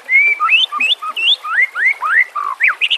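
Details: White-rumped shama song used to train captive birds: melodious, fluting whistles, some held and level, most rising in smooth slurs, with a few low notes and a closing pair of quick high notes.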